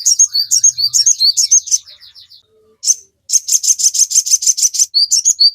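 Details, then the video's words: Sogon singing at full chatter, used as a training song to prompt captive birds to sing: rapid high-pitched chirps and trills in fast bursts, a short pause, then a dense run of sharp repeated notes. "Pancingan sogon gacor full ngoceh, Masteran burung sogon agar cepat ngalas langsung gacor nyamber"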